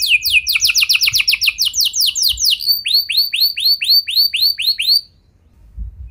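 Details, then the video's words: Rolling canary song played to prompt other canaries to sing: fast series of steep descending notes speeding into a trill, then slower repeated arched whistles about four per second, before falling silent. "Pancingan Burung Kenari Biar Ikut Gacor Ngeroll Panjang! Pasti Nyaut Kenari Mana Saja Dengan Ini"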